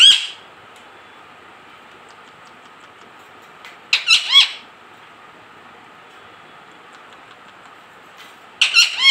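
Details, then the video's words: Talking parrot giving clusters of loud, harmonic, arching vocal bursts roughly every four seconds, each cluster two to four notes, separated by quiet stretches with a faint steady indoor hum. "talking parrot"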